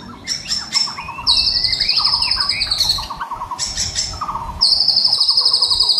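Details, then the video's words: A white-rumped shama in full song, used for training birds in the morning, sings a rich, fast medley of bright whistles, long high buzzy trills and rapid chattering runs of lower notes, with little pause between phrases. "Murai Batu Gacor Dor Full Isian"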